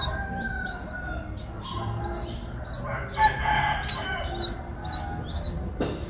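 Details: Streak-eared bulbul nestlings, eight days old, Ubon Ratchathani, Thailand, recorded 10 April 2023: a string of high, hooked upslurred squeaks about twice a second, some louder and doubled, over a faint rooster crow and a closing thump.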